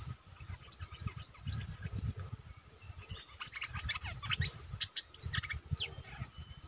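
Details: Streak-eared bulbul, kept as a decoy bird, giving scattered sharp chirps and upslurred notes that grow busier midway, over constant low-frequency rumble.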